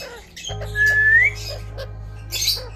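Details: Pet Indian ringneck parrot eating guava indoors: one clear whistle that holds level, then rises near its end, among soft squawky bursts and a steady low hum.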